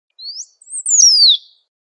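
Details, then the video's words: Outdoors, a great pampa finch delivers one phrase: a thin rising whistle, a short gap, then a high note that slurs down into a drawn-out falling whistle; nothing else audible. "SABIÁ BANHADO CHAMANDO E CANTANDO MUITO NA NATUREZA"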